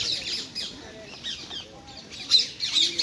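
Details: Wild rose-ringed parakeets being fed sunflower seeds, nuts and apples in Hyde Park, London: harsh, high screeches in short bursts, with quieter rustling and faint background noise between them.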